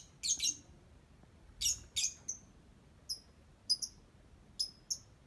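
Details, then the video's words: High, squeaky chirps from a singing lovebird, first in brief harsh clusters, then as single sharp notes and quick pairs separated by quiet gaps. "Love Bird Cantik Pinter Nyanyi"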